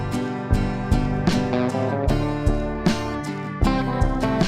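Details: Strummed acoustic guitar music plays with no animal sounds.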